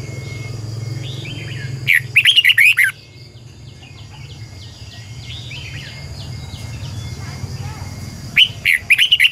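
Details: Red-whiskered bulbul used as a decoy bird, singing in a morning session to train other bulbuls; short bursts of loud, warbled, twisting double-note phrases near two seconds and again near the end, with softer chirps between over a steady low hum.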